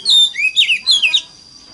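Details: Oriental magpie-robin lure song in the wild mountain-forest voice style, meant to prompt other magpie-robins to sing: a brief burst of bright, sliding whistled notes, rising and falling quickly, then silence.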